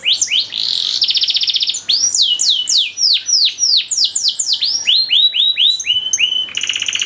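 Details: Tutor song for canaries with fancy variations: a pulsed high roll, then long series of falling slurred whistles at varying pitches, closing with a bright rapid trill.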